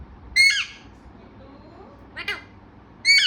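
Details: Talking pet parrot giving two loud, harsh, rising-and-falling squawks about three seconds apart, with a quieter raspy note between them over low room hum.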